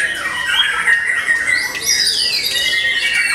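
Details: White-rumped shama in post-moult song: long, clear whistled phrases that swoop up and down, including a bright rising-then-falling sweep, over a steady background of chatter.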